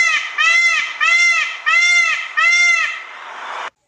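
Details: Peacock; scream; attracting mates, signalling danger, keeping in touch with the flock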